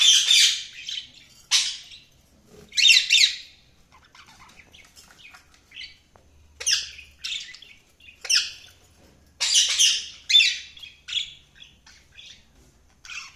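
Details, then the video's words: Budgerigars making bursts of raspy chirps and squawks, irregular and spaced with short pauses, some clicks and softer twitters between the louder calls. "budgies chirping sound"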